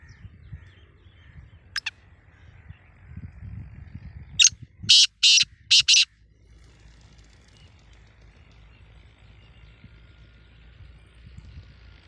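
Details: Black francolin, known as kala teetar, outdoors: after a lone sharp click, four loud, harsh, rasping notes come in a rapid burst, set against a low rumble of rural background noise.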